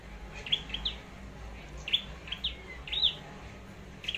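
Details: Flowerpecker (chim sâu đầu đỏ) from Long Thành, Vietnam, doing competitive singing while being prepared as a decoy: clusters of quick, thin, high chips, some doubled, separated by short pauses, with a constant low hum.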